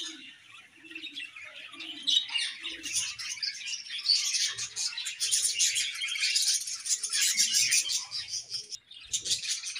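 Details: Many budgerigars in a colony chattering as they eat, a continuous wash of high, scratchy chirps and warbles that thickens after the first few seconds and runs without pause.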